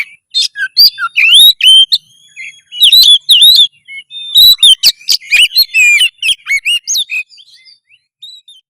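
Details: Loud, lively Oriental magpie-robin song to raise breeding urge and fighting spirit: quick successive whistled slurs and sharp clicks in a near-continuous stream, thinning to softer notes at the end.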